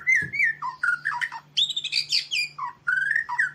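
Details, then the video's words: Medan white-rumped shama in busy voice for a tutoring recording: a near-continuous run of varied whistled phrases, bright high squeaks and short down-slurred notes changing every fraction of a second, with a faint low hum and a brief thump at the start. "MASTERAN BURUNG MURAI MEDAN GACOR"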